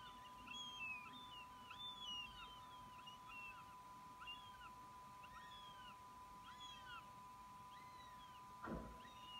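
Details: Fledged young northern goshawk that has left the nest but returns to snatch food: high, arched, down-slurred wailing calls repeated roughly every second, over a steady electronic hum, with one dull thump near the end.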